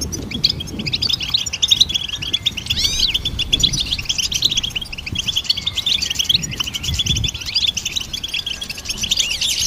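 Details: Goldfinch song as songbird training material: quick twittering with sweeping upslurred whistles and buzzy trills, sustained for the whole stretch over a faint low background murmur.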